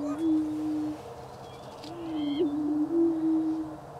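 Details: Greater prairie-chickens booming in Wabaunsee County, Kansas, in spring 2010: a low steady moan lasting about a second, a gap, then a longer low tone with small wavering bumps, plus a faint higher call overhead.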